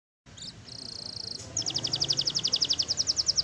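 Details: Black-red canary kept as a pet singing: after a brief silence, a high buzzy trill, then a rapid, regular series of bright pulsed notes, about six per second.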